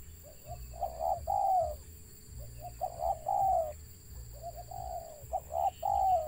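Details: Mellow, faltering coos of a wild spotted dove with a stutter: short hesitant notes leading into longer falling hoots in three uneven groups, over a persistent low drone.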